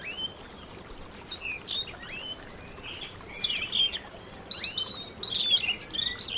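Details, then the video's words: Canary singing at home, a run of high, sweeping whistled chirps that starts sparse and grows denser and louder toward the end, over constant faint hiss. "canary bird - canary singing - canary sounds - canary singing at home"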